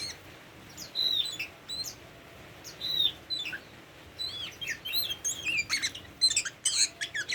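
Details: Tame Oriental magpie-robin singing in bursts of clear upslurred and downslurred whistles mixed with harsh chips, growing busier toward the end.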